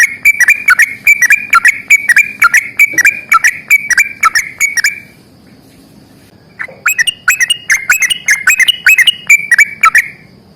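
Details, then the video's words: Long rapid-fire yellow-vented bulbul song in an energetic fighting style. A steady five-second string of bubbly whistled notes is followed by a pause, then another run of quick, slightly higher phrases. "trucukan gacor tarung ROPEL PANJANG"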